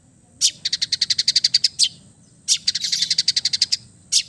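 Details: Long-tailed shrike of East Java singing calmly: rapid bursts of fast, evenly spaced high chattering notes, about a dozen per burst, framed by single sharp rasping calls, with a quiet low hum underneath.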